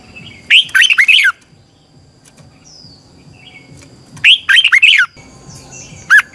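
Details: Red-whiskered bulbul giving a 'xoắn tít' twisting-voice training song used to stimulate birds: two quick warbled phrases of several bouncing notes nearly four seconds apart, a short extra note at the end, over steady high whine and low hum.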